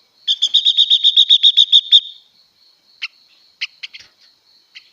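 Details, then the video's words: Female blue-winged leafbird singing to provoke males delivers about thirteen loud, evenly spaced harsh notes in under two seconds, then scattered single chirps, all over a faint continuous high whine. "Tiếng Chim Ngũ Sắc Mái Hót Siêu Kích Trống Nhanh Căng Lửa"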